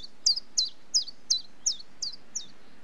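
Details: Common chiffchaff singing: a steady series of seven high, sharp, slightly falling notes, about three per second, against a soft hiss.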